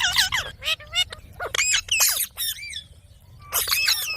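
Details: Pet Indian ringneck parakeet talking: short bursts of harsh, squawky, speech-like syllables with rising and falling tones, some grouped in quick runs, separated by brief pauses, with a longer silent gap before a final burst.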